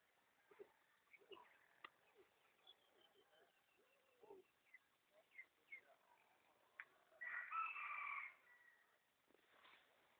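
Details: Junglefowl calling on a cool mountain morning near Ban Bo Kaeo, Samoeng district, Chiang Mai, Thailand: a loud, harmonic, crowing burst lasting about one second late in the recording. Scattered clicks, rustles and a soft human murmur come before it.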